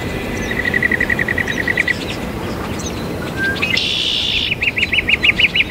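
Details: Northern mockingbird mimicking other birds: a fast run of evenly repeated chip notes, a brief harsh burst, then a loud series of rapid looping whistled notes, over steady low rumble.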